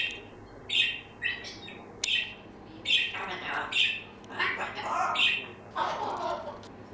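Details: A six-month-old female African grey parrot gives short bright whistles and chirps mixed with lower mumbled talking sounds, in an irregular stream of chatter.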